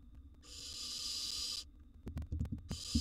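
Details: One long, coarse, breathy hiss of over a second from a wild barn owl nestling devouring a gerbil in a nest box. Sharp clicks and taps follow, then another hiss begins.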